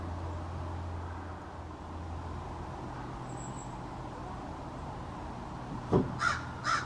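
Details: After a long stretch of low rumbling background, two sharp caws close together at the end from American crows, a small family group calling to one another in a backyard.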